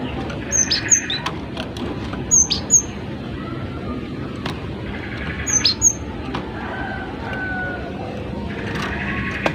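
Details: Gelatik batu, the cinereous tit, in full training song: sharp, very high whistled notes in quick twos and threes, repeated in bursts about every two seconds against constant road noise.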